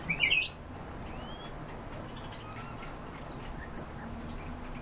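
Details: European bee-eater, kept birds: a burst of loud, rolling, trilled calls at the very start, then softer high chirps and thin whistles from other birds over a constant low background rumble.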